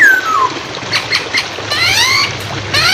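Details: Hwamei song used as a training recording for songbirds, with flowing water behind: a long falling whistle, brief clipped notes, then stacked downslurred whistles over a constant watery hiss.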